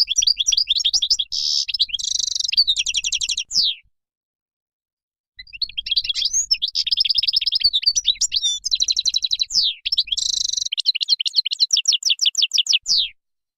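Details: Two long bursts of Moroccan goldfinch song separated by a short silence, each made of dense buzzy trills, rapid twitters and sharp falling notes.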